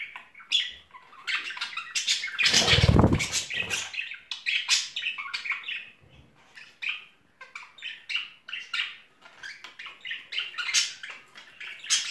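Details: A pair of budgerigars courting in springtime gives rapid, continuous chatter of scratchy chirps and squawks. A loud broadband rustle or bump briefly covers the birds early on.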